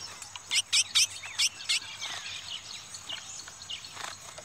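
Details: Chestnut-bellied seed finch males in a fast singing duel, where one bird lost quickly: a quick run of sharp, high chirped notes in the first two seconds, then fainter scattered high notes over steady background hiss.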